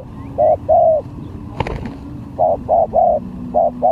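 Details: Lure spotted dove in a contest of luring skill, cooing in repeated phrases of short low hoots followed by a drawn-out note, a sharp knock in the middle, faint high chirps from another bird.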